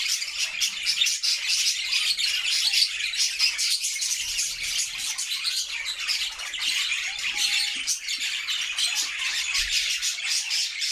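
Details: Budgerigars in a happy flock singing inside a new homemade cage: unbroken high warbling, chirps and squawks from many birds overlapping, with occasional soft bumps.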